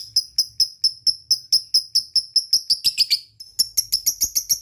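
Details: Lovebird giving evenly spaced sharp high chirps, about four per second, with a short burst of rougher notes midway, then a brief pause and faster chirping; played to stimulate other lovebirds to sing.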